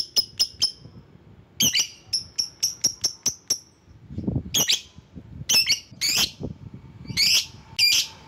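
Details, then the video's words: Lovebird luring a rival: quick series of sharp high chips in bursts, then harsher, raspy shrieks spaced irregularly, with a soft low thud midway. "Burung LOVEBIRD Ampuh memanggil lawan"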